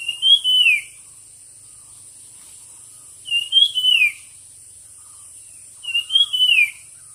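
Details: Competition songbird: clear whistled phrases that rise, then slide downward with a brief warble. Three phrases come about every three seconds, over a constant high electronic whine.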